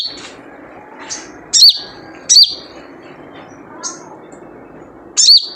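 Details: Characteristic 'jrejet cuit' call of a wild sunbird, known locally as sogon and used as a lure: three piercing high chirps at irregular gaps, plus softer faint notes between them against quiet background hiss.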